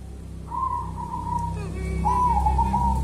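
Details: Local wild zebra dove ('kuntilanak' perkutut) singing two drawn-out, slightly wavering whistled coos about a second apart, over a steady low hum.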